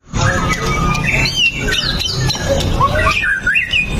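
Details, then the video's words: White-rumped shama song meant to prompt other shamas to sing: a run of varied clear whistled phrases, some sliding up, others dropping, at mid to high pitch, set over a constant low rumbling background noise. "PANCINGAN MURAI BATU LANGSUNG BUNYI 100% GACOR TANPA HENTI"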